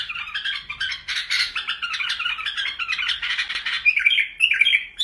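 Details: Iraqi bulbuls in song: dense scratchy chatter with overlapping squawky notes, followed by brighter looping whistles toward the end.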